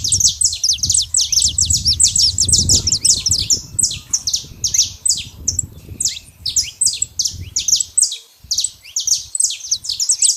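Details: Out in nature, a saffron finch pours out a dense, continuous chatter of high, sharp descending chips, with a steady low rumble of background noise during the first seconds.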